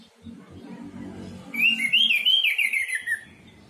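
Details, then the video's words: Orange-headed thrush singing as a therapy lure for a quiet bird: a single rich warbled phrase of rolling, wavering whistles lasting under two seconds, preceded by low droning background hum. "pancingan Anis merah macet bunyi"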